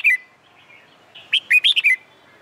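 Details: Summer daytime contest song of a red-whiskered bulbul: a brief opening whistle, a pause, then a lively phrase of five bright warbled notes that rise and fall.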